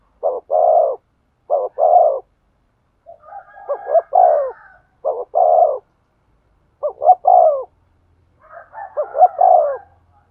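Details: Spotted dove cooing to provoke a male: low paired notes and sustained coos in groups, interrupted twice by a second bird's higher, fluttering overlapping coos.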